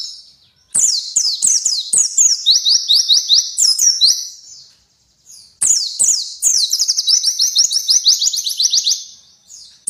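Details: Wild-type white-eye from Kuningan, West Java, singing fast, high chattering phrases of rapid descending chirps and trills in two long bursts separated by a brief pause; no other sounds.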